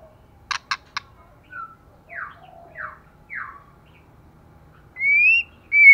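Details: Female white-rumped shama, bare from moulting, in intense song: three quick snapping clicks, a run of soft buzzy down-slurred notes, then two strong pure rising whistles.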